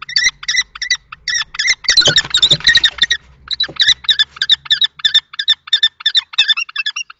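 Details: Fight between two male common kestrels over a nest box in Théding, France, March 2024, the older adult trying to drive off the young male; fast strident chattering notes run on, interrupted by a burst of wing-flapping and scraping.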